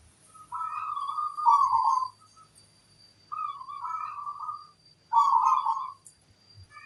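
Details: Local zebra dove in strong song, big 'kung' voice: three clear mellow coo phrases, each a flat note running into a rolling trill, separated by about a second of quiet.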